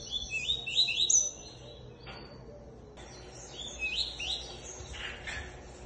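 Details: Captive Double-collared Seedeater (coleiro) of the tuí-tuí song style, praised as a beautiful singer and due to be sent to Três Corações, Minas Gerais; high bright chirping phrases in two bursts separated by a short pause, with faint low background noise.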